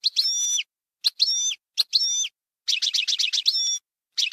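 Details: European goldfinch in Bainam Gazrat song, played to teach young birds: short rattling, tinkling twitter bursts with slurred whistles, broken by brief pauses, then a longer rapid chattering run.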